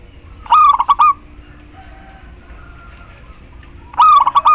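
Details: Female local zebra dove summoning the male, played to draw out males that have gone quiet: a clipped cooing phrase of rapid pulses with a longer end note, repeated after about three seconds, faint steady hum behind.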